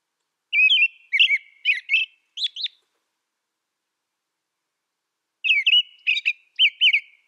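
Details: American robin song in two bouts separated by a few seconds of quiet. Each bout has four or five fast, caroling whistled phrases with high thin squeaks between them. Nothing else is audible.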